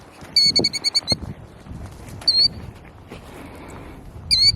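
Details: Killdeer protecting its nest at Iona Beach, Richmond, BC, Canada, while making funny moves: a quick run of sharp, high piercing notes, then single shrill calls repeated after pauses, over faint low outdoor rumble.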